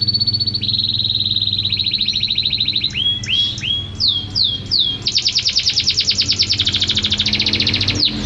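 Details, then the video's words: Lively champion canary for tutoring caged songbirds: long steady whistles, a run of upslurred notes, then a rapid rattling trill carrying to the end. "Suara KENARI Juara Gacor terbaru"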